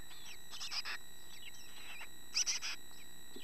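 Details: Young chickadees, growing up fast and starting to look like the adults, giving short high chirps in two clustered bursts with thin whistled notes between, over faint background hiss.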